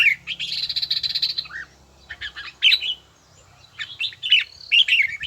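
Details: A red-whiskered bulbul trains its voice in bell-tone style, opening with a long rapid warbling run, then quieter spaced bursts of bright, chattering whistles over a soft background hum.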